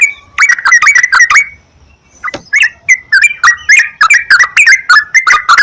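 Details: Yellow-vented bulbul lure song: a rush of cheerful, slurred whistled notes, a short gap with a soft low note, then a steady run of chirpy, bouncing phrases.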